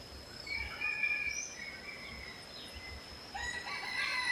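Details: Red junglefowl crowing at moderate distance: a drawn-out, strained, harmonic call in the first half, then a second rough crow starting near the end. Faint high chirps from small birds and a steady high insect-like whine continue throughout.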